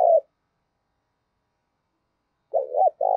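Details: Spotted dove fighting-provocation coo used for luring wild birds. The tail of one phrase fades out, then after a long silence a new phrase starts with two short notes and a sustained coo.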